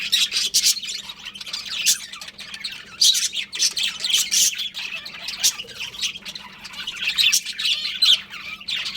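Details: Pet budgerigar breeding pair chattering nonstop: dense, high scratchy chirps and squawks tumbling over one another, loud bursts every second or so, a faint electrical hum underneath.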